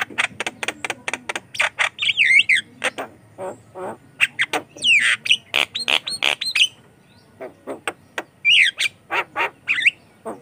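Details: Javan myna singing hard as a lure and tutor for other mynas: dense bursts of sharp clicks woven with looping squeaky whistles and short rasps.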